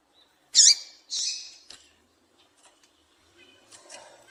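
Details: Female double-collared seedeater call meant to excite males: one sharp high squeaky note, then a longer hoarse buzz, followed by soft clicks and faint low murmuring.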